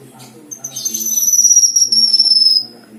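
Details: Kinoi, the black-winged myna, in rich song offered as filler material: one sustained, very high whistle that drifts gently lower across two seconds with a fast fluttering pulse, a low background hum beneath.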